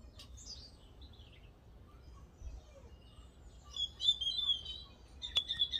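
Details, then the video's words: Wild birds twittering outdoors: faint thin high chirps and short descending whistles at first, then a louder burst of rapid high twittering notes toward the end over a low rumble of background noise. "Vogelgezwitscher Originalton"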